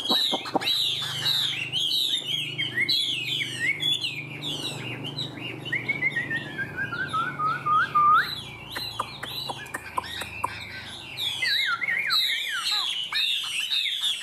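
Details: Rich, varied song from a caged Chinese hwamei, a yellow-legged bird valued for loud singing. Fast twisting whistles run into a long descending series of clear notes, then turn back into busy warbling over a low steady hum.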